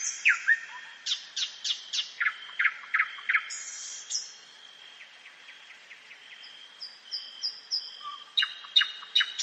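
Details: Night-time song of a common nightingale in woodland, a varied string of sharp repeated strokes, buzzy bursts and quick note series, with a brief lull midway before the rapid phrases resume over a faint steady high tone.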